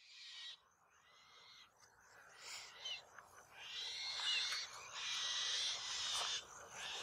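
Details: Black-shouldered kite fledglings, two of three siblings, squabbling over a mouse at the family perch tree after an adult delivered it. They give harsh, wheezy, hissing bursts in uneven bouts over noisy background.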